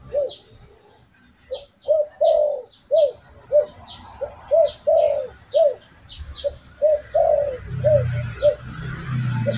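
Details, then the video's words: Spotted dove lure call for attracting birds: a long run of mellow arched coos, some short and some drawn out, repeated steadily, with high clicking ticks above and a low rumble near the end. "Suara pancingan burung derkuku"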